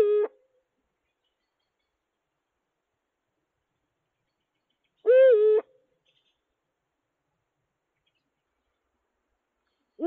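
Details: Courting Eurasian eagle-owl pair, a newly arrived male with a widowed female, courtship starting unusually early in autumn 2022. Short, clear, slightly arched hooting calls repeated roughly every five seconds in a quiet setting.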